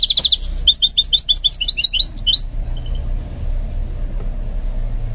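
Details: Goldfinch mule being trained to sing gives a fast, bright twittering run of high chirps and short trills lasting about two and a half seconds, then falls quiet over a low background hum.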